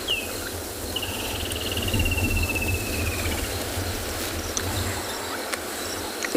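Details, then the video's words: A loud woodland kingfisher at dawn in the Tswalu Kalahari Reserve, South Africa, near a dam on 23 December: a brief high opening note followed by a rapid trill sliding slowly downward for over two seconds, over steady vehicle rumble. "You probably can't hear it actually over the woodland kingfishers. They're drowning out every single other piece of ambience."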